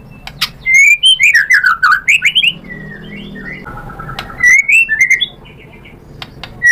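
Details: Song of a white-rumped shama, a lure to provoke a rival bird: quick series of swooping whistled notes, a short mellow steady tone, then more rapid slurred phrases, over a faint low hum.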